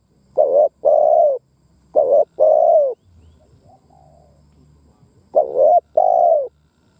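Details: Spotted dove decoy delivering its 'thúc gù gáy' calling to excite other doves: three double-note phrases, a brief quavering coo then a drawn-out smooth coo, repeated roughly every two and a half seconds in a quiet setting.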